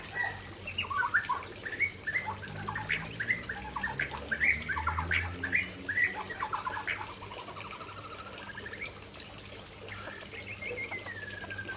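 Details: Aceh white-rumped shama singing near a waterfall, a busy run of quick chirping and whistled notes, then quieter with a drawn-out slurred whistle near the end.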